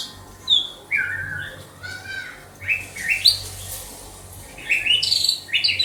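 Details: Caged white-rumped shama from Banda Aceh whistles rich, warbled notes, then sharp rising phrases and a final cluster of high chirps, with a steady low hum behind.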